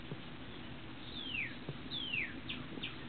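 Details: Northern cardinal singing in a dogwood tree outside a sunroom: two long, clear down-slurred whistles about a second apart, followed by two shorter notes, over faint background noise.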